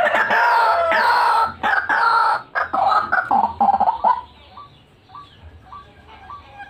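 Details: White-breasted waterhen (ruak-ruak) used to lure birds: loud, harsh, croaking phrases for about four seconds, then quieter upward-hooked notes repeated at a steady pace.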